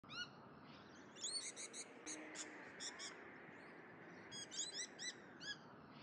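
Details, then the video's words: Several wild Mountain lorikeets call together, giving shrill, buzzy screeches in quick bursts of three or four notes over a steady background hiss. "Mountain Lorikeets in the Wild"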